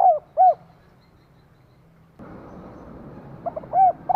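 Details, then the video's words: Female spotted dove calling to stimulate a male: two short, soft, low coos open the stretch, then quiet, then a burst of broadband hiss before two or three more hollow coos near the end. "Cu mái kích trống"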